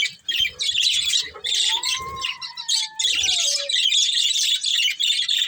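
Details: Breeding pair of budgerigars chattering loudly and almost without pause in scratchy high warbles, while a fainter drawn-out, falling crow sounds in the background.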